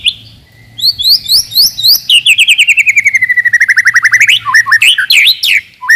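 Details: White-rumped shama song, described as melodious with tightly packed 'shots', used to provoke rivals and to test young birds. Loud whistled notes, then a fast run of about twenty descending slurred whistles, ending in varied sweeping phrases; a low steady hum throughout.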